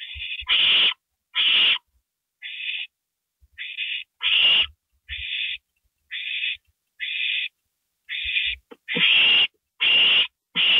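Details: Owl at a nest in the small hours of April 27, 2012, as a gopher is handed over: a long, irregular series of about fifteen calls, alternating thin tonal notes and loud, raspy hissing screeches, with soft thumps.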